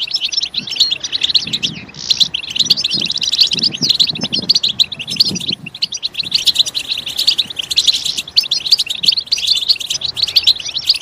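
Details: European goldfinch song, a continuous, dense twittering chatter of high tinkling notes with no breaks, with soft lower thumping sounds in the first half.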